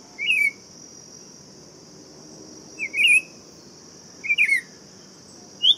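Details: Buff-throated saltator with a few short twisting whistles separated by pauses, over an unbroken high insect drone and soft low noise.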